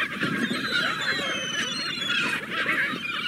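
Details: Seagulls in a steady mass chorus: countless overlapping shrill, slurred cries merge into one constant clamour, a few thin drawn-out whistled notes rising above it.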